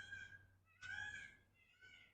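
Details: Wild peacock, part of a free-roaming flock in the Peacock Arts District of downtown Fort Pierce, Florida, gives three loud, nasal, cat-like wails: a short one, a longer and louder one, then a fainter short one, over low traffic hum.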